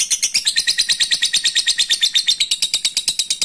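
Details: A lovebird calls a rival with the long ngekek song, a dense rattling run of rapid, grating high notes, roughly eight per second, without a break.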